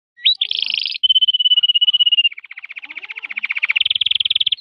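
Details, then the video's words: Canary singing, recorded on 18 January: a rapid buzzy trill, then a steady whistled tone, then fast repeated notes and another quick rolling trill, all high-pitched and clear. "canary singing. canario cantando"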